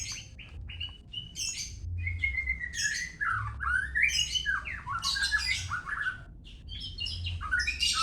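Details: Murai batu medan, the white-rumped shama, delivering a rich, varied song of fast whistles, slurred rising and falling notes and high squeaky chips, tumbling continuously for several seconds with hardly a pause.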